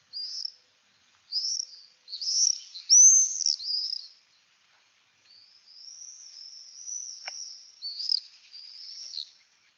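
Common Swift giving shrill, buzzy screams, a string of short high bursts followed by a long drawn-out screech, with no other sounds.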